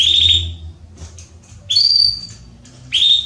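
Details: A female Belgian canary soliciting mating: a bright chirp, soft clicks, then a longer clear whistled note, ending with another strong chirp.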